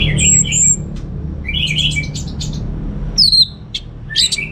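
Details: Caged orange-headed thrush kept at home in Singaraja, North Bali, singing: bursts of high chirpy, squeaky notes and sharp sliding whistles separated by short pauses, over a steady low hum.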